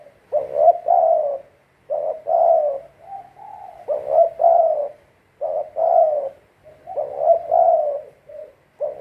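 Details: Captive decoy spotted dove calling repeatedly, each phrase a short stutter of husky coos followed by a longer falling note, repeated about every two seconds.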